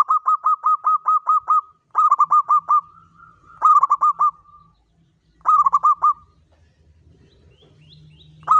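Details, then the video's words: Zebra dove lure song, local bird in Mataram rhythm style for attracting wild doves: four quick runs of clear, ringing coos, six to seven notes per run, with short gaps and a low rumble near the end. "PANCINGAN SUARA BURUNG PERKUTUT LOKAL ANTI MACET"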